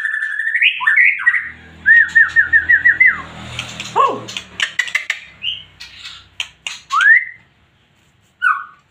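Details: White-rumped shama in loud, energetic full song: quick whistled phrases, a run of six fast repeated rising notes, scattered sharp clicks, then clear swooping whistles after short pauses.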